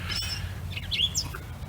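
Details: At a Hunterdon County Park arboretum, a Gray Catbird, a common bird with no pattern to its call, gives a quick run of squeaky, high chirps and slurred notes, loosely spaced, over a steady low rumble of wind.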